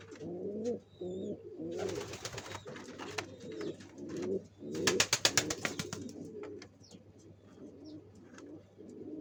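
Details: Nest-building pigeons preparing to lay eggs coo steadily in low, bubbling phrases, several rhythmic bursts of loud clattering, wing or scratching sounds breaking through twice.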